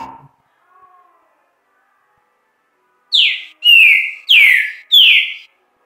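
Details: A kept Green-winged saltator (Saltator similis) on a Friday just after 4 pm sings four loud, clear whistled notes in quick succession, each sliding down then held steady, after a brief faint voice.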